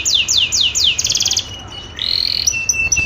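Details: Female canary in breeding condition calling to attract a mate: four falling whistled sweeps, a quick buzzy trill, then a brief pause and a rising note followed by a thin sustained whistle.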